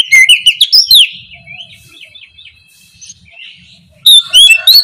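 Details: Oriental magpie-robin pouring out morning lure song to get silent birds calling: loud fast whistled phrases, a long soft stretch of slurred chattering notes, then a renewed loud burst of sharp whistles.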